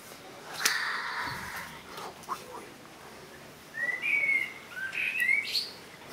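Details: A single Turdus merula song phrase arrives after a few seconds of soft background chirps: fluty, descending-then-rising notes ending in a sharp upward squeak.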